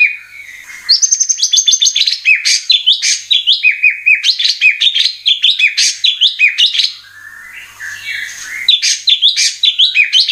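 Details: Lure recording of White-rumped shama song for caged birds: long fast sequence of repeated rising chirps and whistled phrases, a brief lull, then renewed rapid twittering.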